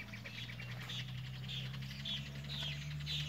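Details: Southern Lapwing, known as quero-quero and in some regions teteu, calling in the sertão at the start of the November rains; harsh, scratchy notes repeated roughly twice a second over a low steady hum.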